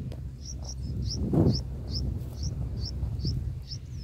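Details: Bulbul chicks in their nest on day six, being fed: sharp, high squeaky notes repeat about every third of a second, steady and clear above a low hum and a brief thud.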